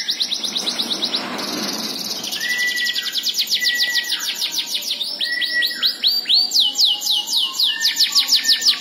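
A domestic canary sings a fast, continuous song of high rolling trills and repeated sweeping whistles, about two notes a second, with a faint background hiss.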